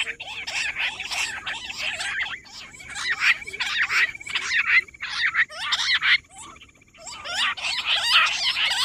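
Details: Rock bush quail (Perdicula argoondah) recorded 18 July in a busy, overlapping run of high chirping and twittering notes, about one burst a second, with a brief pause near the middle.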